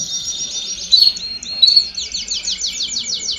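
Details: Domestic canary chorus meant to stimulate chicks to sing: a steady buzzy trill, two brief louder whistled notes, then a quick pulsed trill of rapidly repeated descending notes.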